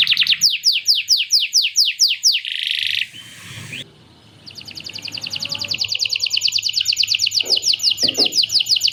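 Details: Canary singing at length with imitated lovebird chattering: quick downslurred chips, a brief buzzy rasp, a short lull with faint background noise, then a long, fast, even trill building in volume.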